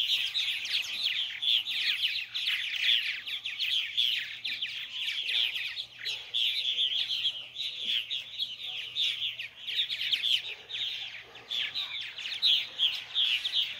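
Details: Nestling purple martins calling while both parents bring food before nightfall: a long, unbroken chorus of rapid high-pitched chattering and chirps, pulsing in waves, many young birds overlapping, with a faint low hum beneath.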